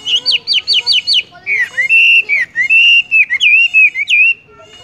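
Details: Wambie, or Horsfield's bush lark, singing tung roll and rolling straight away: a rapid row of short rising whistles, then long sustained whistles swelling and wavering, broken by brief slurred notes.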